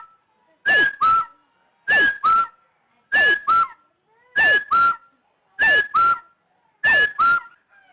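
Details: Rufous-throated partridge call used as a lure for trapping: clear, paired mellow whistles, the second note slightly lower, repeated steadily about every 1.2 seconds against a quiet background.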